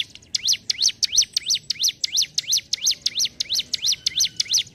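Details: Ciblek gunung, the hill prinia, singing ngentrok: unbroken, very regular string of piercing up-and-down chirps, close to three a second.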